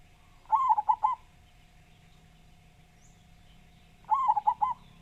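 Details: Local Javanese zebra dove with a big voice, singing steadily; two matching phrases of four quick, rolling, warbled coos about four seconds apart, with a faint steady hum behind.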